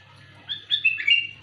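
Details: Sooty-headed bulbul's loud, clear luring call: a quick run of bright whistled chirps, rising then slurring downward, over a low hum.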